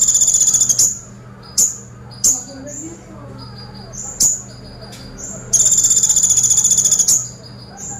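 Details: Sunbird song in the 'tembakan pelatuk' (woodpecker-shot) style: very high, thin buzzy trills and short sharp bursts, with long rattling runs near the start and end and brief chips between them. A faint low hum runs underneath.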